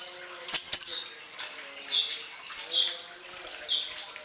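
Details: Orange-headed thrush giving shrill song: a pair of sharp, very high notes, then three softer, buzzy high notes spaced about a second apart over a quiet background.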